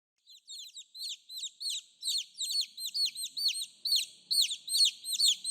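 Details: Several chicks calling for their mother: a flock of high, downward-slurred peeps, beginning after a brief silence and growing denser, overlapping in quick succession about twice per second.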